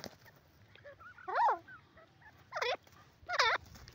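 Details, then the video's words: Grey francolin, known locally as silver teetar, uttering three strong quavering calls that rise and fall in pitch, with faint softer notes and steady background hiss between them. "sliver teetar,silver teetar ki awaaz,grey francolin awaz"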